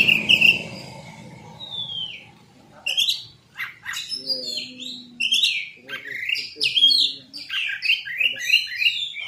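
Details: Oriental magpie-robin song used as a lure to provoke quick answers from other magpie-robins: a brief whistle, then after a pause a dense stream of chattering chirps, buzzy trills and sliding whistles, with faint low voice-like sounds.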